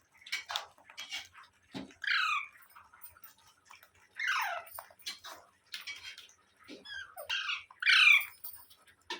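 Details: Parrot calling indoors, giving a string of harsh, descending screeches every one to two seconds, each sliding downward, mixed with softer chattering notes and scattered clicks.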